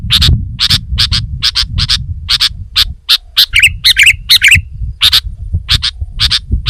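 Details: Rapid series of bright chips from a sooty-headed bulbul, broken midway by a couple of warbled twittering bursts, with steady low rumble behind.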